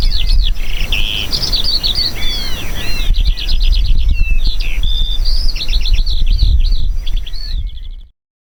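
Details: Skylark song delivered high in the sky: a continuous, fast cascade of twittering, chirping notes with no breaks, accompanied by low rumbling background noise, before cutting off into silence.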